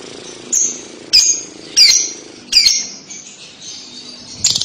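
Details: Lovebird calling, played to lure young birds into answering: short sharp shrieking chirps roughly every half second to second, each a bright high note with a buzzy edge, over a faint steady hiss.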